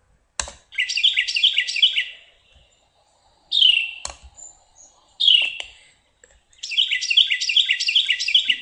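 Carolina wren song: loud, rolling triplet phrases like tea-kettle, tea-kettle, repeated rapidly in bursts, with a few sharper separate notes between phrases.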